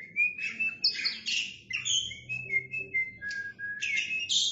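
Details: Oriental magpie-robin, a male in energetic full song while spreading its tail: loud whistled notes near the high middle, long level whistles and buzzy trills, with quick downslurs and bursts of harsh high chatter.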